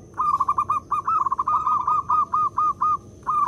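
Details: A local zebra dove giving its loud lure call, used to prompt other doves to sing, makes a quick run of short, soft, mellow coo notes, about ten in three seconds, then starts again over a faint high whine.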